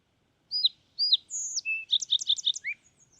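A Fox Sparrow gives a quick, bright phrase: two slurred whistles, a long clear note, then a rapid run of sweet chips ending in a dropped whistle. No other sounds.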